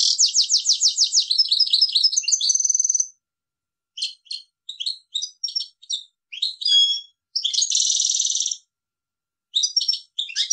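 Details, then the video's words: European goldfinch singing: a quick trill into a whistled note, then scattered tinkling chirps, a dense buzzy burst and further twittering phrases. "best Goldfinch singing , le plus beau chant de chardonneret"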